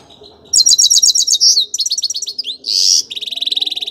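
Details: Grey-crowned goldfinch song: loud rapid high twittering phrases, a run of repeated chirps, a brief harsh buzzy burst, then a fast even trill of clipped notes, close and clean.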